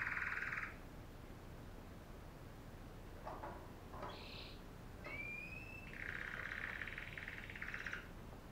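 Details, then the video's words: Female canary song: a short loud trill, a gap with soft clicks, a brief high rattle and one rising whistle, then a longer rolling trill toward the end, over low hum. "канарейки // пение самки"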